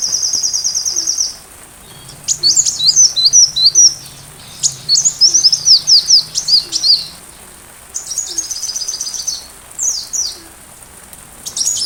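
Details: Sunbird song for tutoring a white-rumped shama. It opens with a high buzzy trill, then jumbled bursts of thin, rapid chirps and slurred notes, with a short silent gap and another trill near the end.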